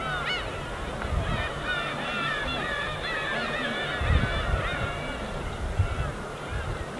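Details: Winter gull flock circling over the calm East Sea off Korea, a dense chorus of thin, mewing cries, with a few sharper calls early on, layered over the soft, steady murmur of waves.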